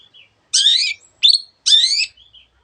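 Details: Long-tailed shrike (cendet) singing a lively song with many imitated notes of other birds, meant as a master recording to coax reluctant birds into song: two harsh, buzzy bursts split by a short sharp rising note, with faint thin whistles between.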